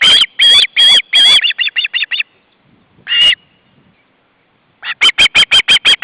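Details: Young ospreys begging as the male brings fish to the nest in August 2012. Harsh, loud screeches give way to quicker shrill chips, a pause with one more squeal, then a fast run of piercing whistled notes.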